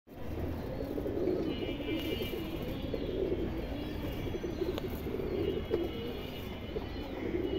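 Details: Domestic running pigeons, a silver male and a silver female with beige throat kept as a breeding pair. Low, soft cooing repeats throughout, several coos overlapping as from more than one bird, over a steady low hum and a faint high tone.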